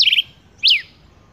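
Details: Male rufous-collared sparrow (Zonotrichia capensis) gives a quick high twittering burst, then a single clear whistle that slurs sharply downward, in a quiet setting.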